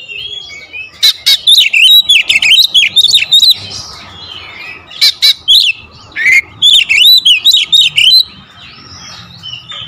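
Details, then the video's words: Lure song of a magpie-robin in tight 'tembakan rapat' style: quick series of loud whistled and clicking notes in two long bursts separated by a quieter gap, ending in softer warbling. "PANCINGAN KACER SUPER POWER TEMBAKAN RAPAT"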